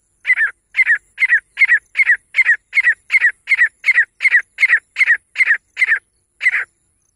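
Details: Female grey francolin giving a rapid, steady series of about fourteen harsh, scratchy notes, roughly two per second, evenly paced with a slight gap before the final note; clean recording with no other sounds.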